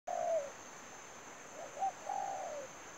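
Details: Spotted dove used as a decoy for trapping, giving a short cooing note and then a longer, lower, drawn-out coo that falls away at the end, over a steady high-pitched whine.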